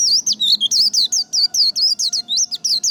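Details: White-eye in líu đấu song, used to stimulate and train singing: a steady run of very high, rapid, looping twittered notes, about five per second, with no other clear sounds.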